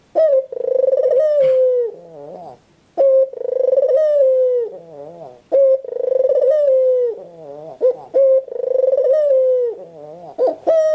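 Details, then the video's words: White ringneck dove giving repeated coo phrases. Each has a pulsing onset, then a long mellow tone that drifts lower, then a softer undulating note and a quick sharp note. About four cycles sound clearly against a silent background. "SUARA BURUNG PUTER PUTIH"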